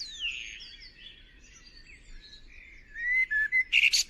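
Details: Fledgling white-eye during feeding: thin, drawn-out whistled notes sliding downward, then a loud rapid run of sharp squeaky chirps at the end.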